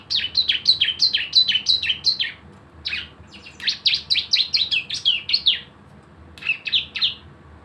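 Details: Javan white-eye singing hard in 'nembak bren' style as a lure to get birds singing, producing dense trains of high, sharp downslurred chirps in two long runs, then a short trailing burst.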